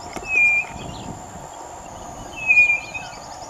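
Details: White-bellied nothura, unseen, giving two clear, high, level whistles about two seconds apart over a steady high insect-like hum, while another of its kind walks quickly along a road.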